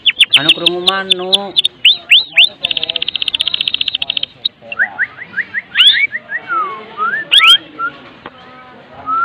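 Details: White-rumped shama, Medan type, singing kretekan as a lure for other shamas: mixed warbled phrases with lower harmonic notes at first, a dense high rattle, then scattered rising and falling whistled notes.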